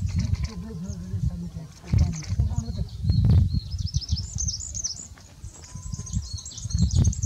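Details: Olive-backed pipit calling in open Himalayan forest: thin, high, sibilant calls, strung together quickly in the second half, over heavy low rumbling from wind and handling.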